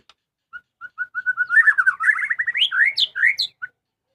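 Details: Household-kept white-rumped shama singing actively: a run of evenly spaced whistled notes that speeds up into a rich, tumbling warble, ending with high sweeping whistles and one short closing note.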